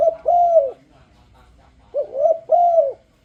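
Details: Spotted dove lure song to induce other doves to sing: a long arched coo at the start, then after a pause a complete phrase of a short coo, a rising-falling coo and a sustained hoarse coo.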